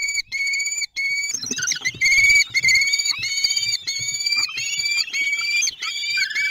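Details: Common kestrels at the nest, recorded on 9 June 2022 at Théding, France: loud, high, thin whistled calls held steady in long bands, several overlapping, becoming wavering and excited midway.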